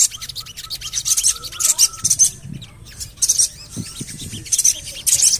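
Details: High, scratchy chattering phrases come in bunches from a Javan cochoa used as a lure to get birds singing, with weak whistled notes between them.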